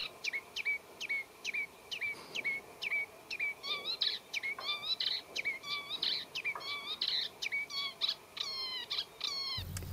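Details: Eurasian reed warbler singing in spring at Higham Marshes, reedy wetland by the River Thames, Kent, England: high, hooked whistled notes about twice a second mimicking a common redshank's call, then quicker, more varied chattering phrases.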